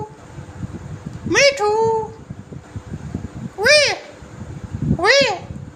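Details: Green parrot, a talking pet, giving three loud arched harmonic squawks spaced over six seconds, one followed by a short flat whistle, with noisy indoor background throughout.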